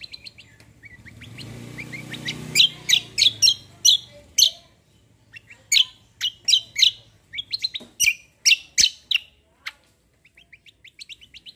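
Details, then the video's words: Cucak kombo singing a rolling gacor song: a long run of sharp, evenly spaced high chirps, a short rushing noise near the start, then softer quick trailing notes. "CUCAK KOMBO KECIAL KOMBO ROLL TEMBAK GACOR COR"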